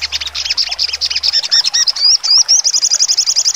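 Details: Caged sogon songbird delivering sharp trotol song: a quick run of varied chirps and falling slurs, a few upward-swinging whistles mid-phrase, then a fast even rattle of identical high notes to the end.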